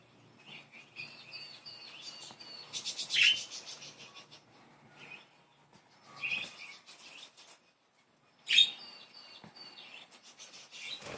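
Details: Cute playful budgies warbling softly, with a run of repeated thin whistled notes, scratchy chatter and a couple of sharp loud chirps separated by brief quiet spells.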